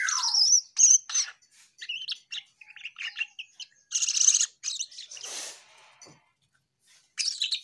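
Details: Lively Asian pied starling song made of rapid high chirps, buzzy rasping notes and clear whistles in quick irregular bursts. It opens with a descending whistle, and a broad harsh squawk comes near the middle.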